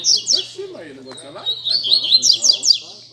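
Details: Double-collared seedeater song from a Sunday-morning gathering of birds among friends: quick series of high, sharp descending notes running into a twittering warble, with men's conversation audible beneath.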